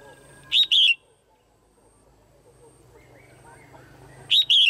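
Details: Female red-whiskered bulbul giving a pairing call to excite males: two loud paired phrases, a brief note then a wavering whistle, about four seconds apart, faint murmuring sounds between.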